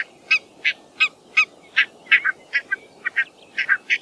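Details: Barnacle goose (Branta leucopsis), call.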